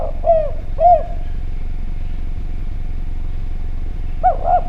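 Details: Javanese spotted dove, vocal and clear-voiced, lure sound: two soft arched coos early, silence, then two more paired coos near the end, against a steady low rumble.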